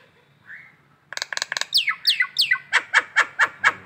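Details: Collared kingfisher calling in the morning in Indonesia: a few short clipped notes, then a loud, harsh series of descending slurred notes repeated about twice per second, growing steadily more emphatic.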